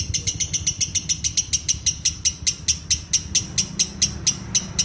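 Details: Lovebird ngekek singing: crisp, high-pitched chirps repeated a little over twice a second in a regular, insistent series, with soft low background noise.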